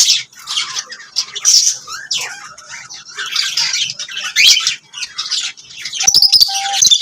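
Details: Pet lovebirds give rasping chirps and squawks in a steady stream, with short whistled tones and sharp clicks toward the end.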